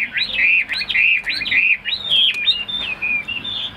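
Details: Kept Chinese hwamei, a tame cage bird, gives bright, clear whistled notes in a rapid rolling series, ending in a few longer, level whistles.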